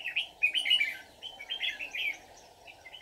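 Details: Red-whiskered bulbul, a white-cheeked bird, recorded during bulbul trapping on 24 July 2019; quick bursts of bright, warbling whistled notes, several phrases in a row, over a steady mid-pitched background hum.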